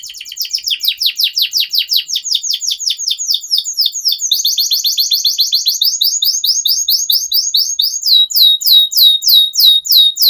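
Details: Long continuous canary song for training juvenile canaries: dense rapid trills of down-slurred high notes, changing speed and tone, ending with loud, regularly spaced ringing chirps.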